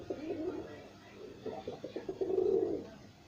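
Pigeons cooing, low soft throaty notes in a couple of rolling bursts, ending in a longer drawn-out coo; indoor echo.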